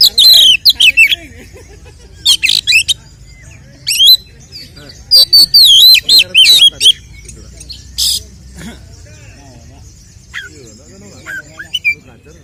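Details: Oriental magpie-robin fighting song, a provoking lure to raise a male's emotion: loud bursts of rapid trilled notes and swooping whistles in phrases, with harsh buzzy bursts, pauses of softer twittering between.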